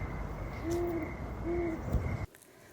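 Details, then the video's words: A great horned owl calls in the background at night in late summer, giving two deep, soft hoots about a second apart, over a steady high-pitched insect drone and a low background rumble. "That night, my heart is full and I love listening to the great horned owl in the background."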